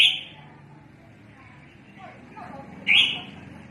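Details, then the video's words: Red-whiskered bulbul, a bird used for trapping, calling a lot: a bright call opens, a quiet pause follows, then another loud, sharp, upslurred note. "Chim chào mào mới diab quaj heev li os"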